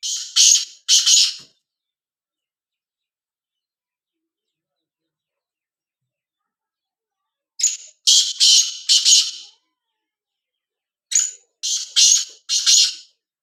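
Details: Black francolin giving three bursts of loud, rasping notes, each burst three to four notes long. The bursts are spaced a few seconds apart, with a long quiet gap after the first.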